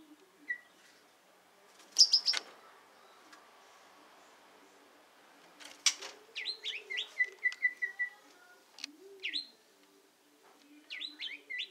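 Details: White-rumped Shama of the Medan type, a captive breeding parent in a breeding cage. Sharp clicks and chirps, a short run of quick high notes, then bursts of curved, swooping whistles with pauses between them.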